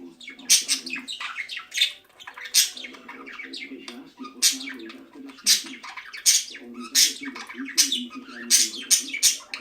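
A budgerigar chatters in bright, scratchy chirps and warbles that come in quick bursts.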